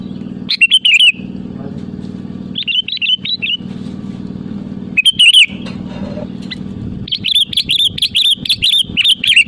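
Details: Sooty-headed bulbul lure song for calling rivals: scattered bubbly whistled phrases, then a fast chattering burst of bright notes near the end, over a low continuous drone.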